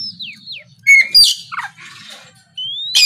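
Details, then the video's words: Oriental magpie-robin singing 'gacor' to provoke rivals: falling whistled slurs, a short level whistle, harsh buzzy notes, then a long rising whistle, with a faint low hum beneath. "SUARA BURUNG KACER GACOR NGEPLONG"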